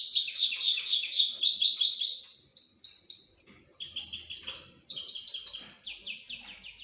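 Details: Singing crossbill kept as a pet bird, in a breeding context: fast strings of repeated high chirps in trilled phrases, each phrase stepping to a new pitch, rhythm rapid and continuous.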